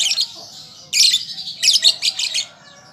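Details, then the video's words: Learning young lovebird: a buzzy high burst, a quieter gap, then a loud harsh clustered outburst of chirps that fades to a thin trailing squeak. "Pancingan Lovebird Paud Belajar Bunyi Ampuh Langsung Nyaut"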